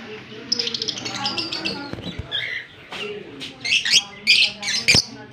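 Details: Fischer's lovebird paired with a blue personata lovebird, kissing, recorded October 20, 2023 in Larkana, Sindh; shrill high chirps in quick uneven bursts, then sharper squeaky notes toward the end, over a low steady hum.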